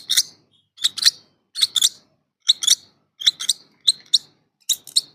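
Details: Begging lovebird chicks, hungry, giving rasping double-pulsed hisses, two quick harsh bursts per call, repeated roughly every second against a quiet background.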